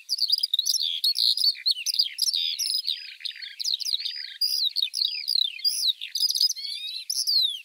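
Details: Eurasian Skylark singing a continuous, rapid, high warbling stream of chirps, trills and twittering notes with no real pauses, some thin descending whistles near the end, no other sounds.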